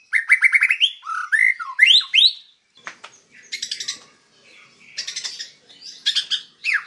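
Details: White-rumped shama singing energetically, a master recording for training other birds: loud, varied bursts of rapid rising whistles and trills, then short pauses before buzzy, chattering phrases and sharp high notes in a quiet background.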